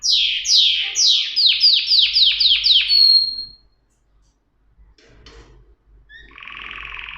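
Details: Canary delivering a quick train of about nine bright downward-sweeping notes, then a pause with faint clicks and a short harsh buzzy phrase.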